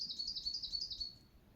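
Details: Bird song from the low mountains of Saitama Prefecture, Japan: a quick run of high, thin, evenly spaced notes, about five per second, fading out after one second into quiet background.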